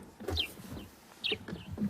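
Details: A grey-headed sparrow, hidden in a deep thicket, gives one of the first calls of the morning at sunrise in late April: two bright, high chirps sliding downward about a second apart, over a low rumble and faint voices.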